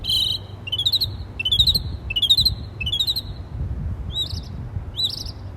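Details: Bird chirping in trees while communicating with other birds: a run of high, slurred chirps, each a quick rising-then-falling trill, about one per second, then two fainter upward-curling notes near the end, over a low background hum.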